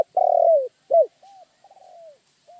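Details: Low cooing of a spotted dove: a long, loud, slightly rough coo that drops in pitch at its end, a short arched coo, then quieter softer coos, including one wavering note that slides downward.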